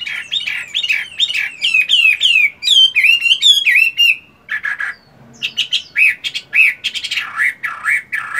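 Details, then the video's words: A captive Chinese hwamei fighting bird, moulting but still trained to sing, in morning song practice: loud, rich, varied whistled phrases with fast repeated notes, slurred rising and falling, and a brief pause midway. "Chiến tam hoàng, luyện công buổi sáng!"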